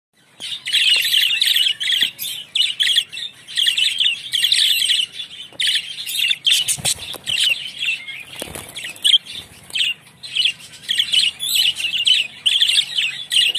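Budgerigars chatter nonstop in bright, scratchy warbles and quick chirps, broken by a few soft flapping thumps.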